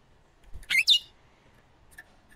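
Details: Female chestnut-bellied seed finch (curió) calling: two quick, sharp, high chirps in close succession, the second slightly higher, then a faint short note a second later, over quiet background.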